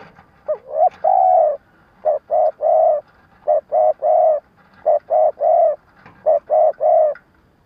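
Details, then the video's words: Decoy spotted dove used in trapping, calling in a stuttering style to stir up wild doves. Repeated phrases of two short coos and one drawn-out low coo, with faint background rustle. "Tiếng cu gáy mồi cà lăm gù - gáy - thúc kích bổi nhanh nổi"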